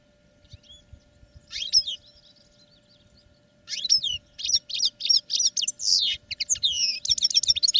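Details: European goldfinches singing in cages for training: a few soft, buzzy notes, a pause, then a rapid, dense run of bright twittering and chirps that keeps going to the end.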